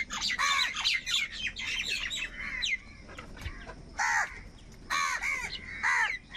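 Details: Crows fighting for food, calling in bursts of rasping, downward-bending caws, a busy run at first, then separated doubled and tripled calls after a short lull.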